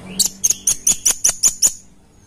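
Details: Red-billed blue magpie giving a brisk series of eight sharp, very high clicking notes, evenly spaced about a quarter second apart, then falling silent.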